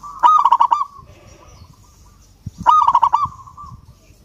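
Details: Zebra dove of local stock calling to challenge a rival. Two loud bursts of fast, rattling coos come about two and a half seconds apart, with soft murmuring coos between them.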